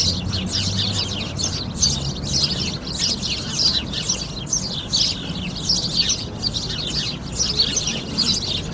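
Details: Several sparrows calling together: busy, rapid high-pitched chirps pile on one another in a steady chorus, with soft low background hum throughout.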